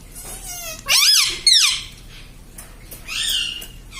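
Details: Pet parrot imitating speech such as papa and mummy: two strong, harsh, arching squeaky syllables, then a softer drawn-out note after a short silence.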